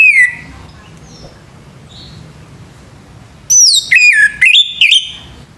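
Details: Male orange-headed thrush singing in the morning: one brief downslurred whistle, a quiet pause, then a loud burst of five or six sharp, high whistled phrases that rise and fall, some with quick slides.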